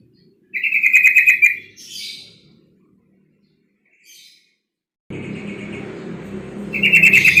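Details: Female yellow-vented bulbul calling to rile up males: a loud, rattling, buzzy chatter, then a hissy note, a long quiet gap, and a noisy stretch ending in another rapid rattled burst.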